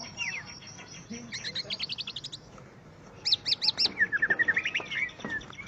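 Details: Facing a rival, a greater green leafbird gives a string of quick repeated chips, a pause, then a loud series of rhythmic looping notes followed by a thin, rapid trill.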